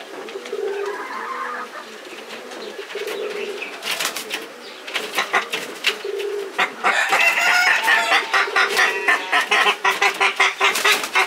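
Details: Quarreling Purple swamphens trade low, nasal hoots, then break into harsh, rapid cackling bursts, about two per second, growing louder toward the end.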